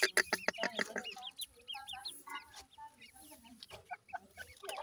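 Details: Baby grey francolins, called dakhni teetar, give a burst of sharp clicks, then a stream of short high chirps that bend up and down, overlapping and uneven.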